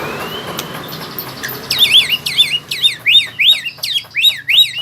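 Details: White-rumped shama learning to sing rolling trills: after a faint rising whistle, bright looping whistled notes repeat roughly once a second, each swooping down then up.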